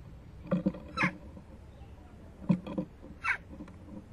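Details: Young Western jackdaw at the nest box entrance, 12 June 2015 near 11:19, begging as its parents return with food. Two loud, harsh, squeaky calls about two seconds apart over dull thumps and scraping.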